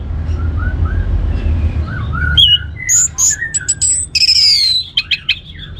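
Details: Orange-headed thrush song used as a lure to stimulate other birds to sing: soft low whistles at first, then loud sharp whistled notes, short slurs and high chips from halfway on, over a steady low hum.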